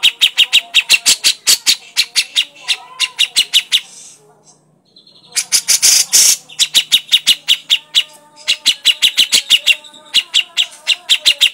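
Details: Grey-cheeked bulbul crecetan chatter: long rapid trains of sharp, clipped chips, a gap of near silence, a harsh rasping burst, then more fast regular chip series, loud and close.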